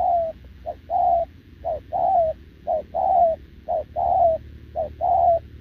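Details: Cooing of a wild-caught short-legged spotted dove answering a decoy bird, 6 November 2024; steady two-part coos, clipped first note and longer mellow second note sloping down, about one pair per second.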